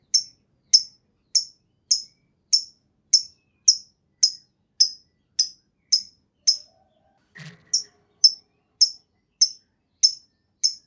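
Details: Lovebird from a lure recording for getting other lovebirds to sing: single sharp high chirps repeated steadily, about every half second, with a soft click in the middle.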